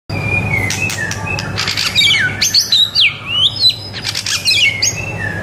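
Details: White-rumped shama, an energetic song used as a model for training young birds to sing: varied sweeping whistles, sharp rising and falling slurs and rapid chattering notes in dense succession, with a steady low hum beneath.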